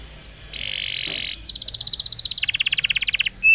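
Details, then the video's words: Canary song used as a lure recording to prompt silent or softly twittering canaries to sing: a steady buzzy note, then fast rattling trills that drop in pitch, ending with a short high whistle. "PANCINGAN Kenari GACOR Panjang!! Kenari Ngeriwik Dan Macet Bunyi Langsung Nyaut Gacor"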